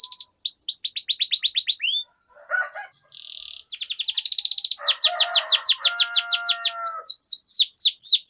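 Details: Canary lure song for prompting long rolling song: a fast high trill of repeated notes, a short gap with scattered sounds, then a dense rapid roll over a lower steady droning tone, ending in spaced sweeping notes.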